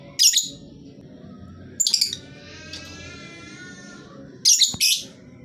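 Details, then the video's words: Lovebird lure recording to get any lovebird calling: three clusters of harsh high screechy chirps separated by pauses, with a thin steady whistled tone in between, over a low hum. "Lovebird jenis apapun dijamin pasti ikut bunyi, pancingan ampuh bagi burung yang malas bunyi"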